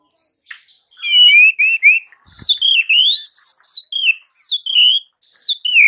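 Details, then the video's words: White-rumped shama singing in the morning, a song that makes rival shamas answer immediately. High, sweet whistled phrases run together with rising and falling slides and quick warbles, nearly continuous with brief pauses. "MASTERAN Murai Batu di PAGI HARI , bikin Murai batu Lawan langsung BERSAUTAN seketika"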